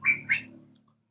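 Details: A cucak kopi at an aviary in the morning, hungry as food (crickets) had run out, gives two harsh, squawky notes a quarter-second apart, mid-pitched with a buzzy edge, then falls quiet over a faint low hum.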